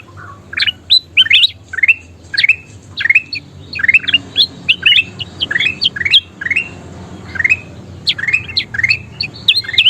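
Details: Bulbul (kutilang emas) singing energetically, used for training caged birds to sing: rapid series of short, rising whistled notes around the upper-middle range, grouped in quick bursts about every half second, with brief pauses between phrases.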